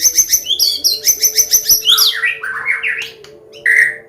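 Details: Medan white-rumped shama combination song, a teaching lure for young birds. A fast, very high pulsing trill of a dozen notes gives way to lower sliding whistles and a final clear note, over a steady hum.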